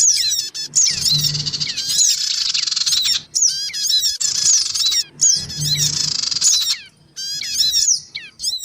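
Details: Lure recording of black-winged cuckooshrike, male, female and young, used to draw small birds: dense harsh buzzy chatter with sharp chirps and squeaky upslurs, in looping bursts broken by short gaps, with a faint low hum.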